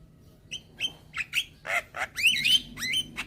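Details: A young white-eyed Javan myna gives its head-bobbing call, meant to draw in hybrid mynas. A few squeaky notes lead into two loud rising-and-falling whistled squeals.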